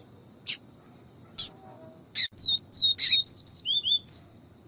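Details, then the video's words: Yellow-bellied Seedeater (papa-capim viviti) singing clean song, with a female calling to stimulate males: quick, sweet, slurred high whistles in a rapid run of about ten notes after a few sharp clicks. "PAPA CAPIM CANTO VIVITI E FEMEA CHAMANDO PARA ESQUENTAR"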